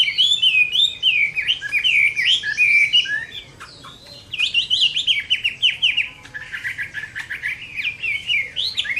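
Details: Summer-midday fighting song of a Chinese hwamei, loud and varied, with rapid rolling whistles and sharp slurred notes pouring out in bursts, a brief quieter lull midway before the torrent resumes.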